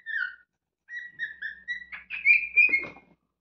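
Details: A cockatiel whistles a run of clear, tuneful notes that climb and end in a harsh, scratchy burst, apparently another cockatiel objecting to its singing.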